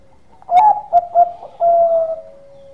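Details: Zebra dove of the Bangkok type giving a relaxed, melodious lure song meant to prompt other doves to sing: three short clipped coos, then one long, smooth, slightly falling coo.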